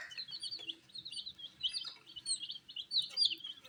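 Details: A group of coloured chicks eating wheat, thin high-pitched chirps tumbling one after another, several overlapping, with no other sounds standing out.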